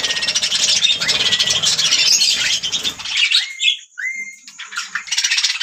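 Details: Budgerigars singing: a continuous buzzy, rapid warble packed with fast chirps, then quieter moments where clear rising whistles slide upward, before the chattering resumes.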